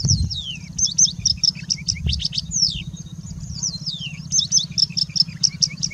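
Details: Rich high song from a singing bushlark in India, mixing quick chirps with clear descending whistled slurs that drop in pitch, the mimicry-laden performance continuing steadily over a low hum.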